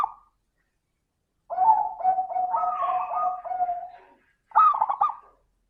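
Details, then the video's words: As a lure to encourage hesitant doves to sing, a zebra dove with a crystal-clear voice gives a long stuttering run of bubbling coos, then a shorter higher phrase, against silence. "Pancingan suara burung perkutut - suara kristal"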